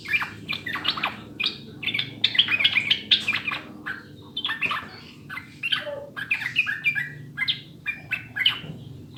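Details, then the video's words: Continuous chattering song of a sooty-headed bulbul, a clear master track meant to make birds sing readily: rapid, jumbled, bubbly notes pour out almost without break, with one low dip near the middle. "SUARA JERNIH PANCINGAN MASTERAN TRUCUKAN UNTUK BURUNG AGAR CEPAT BUNYI DAN GACOR"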